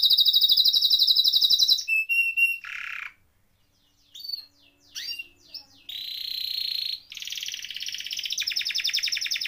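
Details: Rolling 'ngeroll' canary song meant to coax silent canaries into singing: a dense, high trill, then broken varied chirps and short pauses, ending in a long buzzy roll and a pulsed trill.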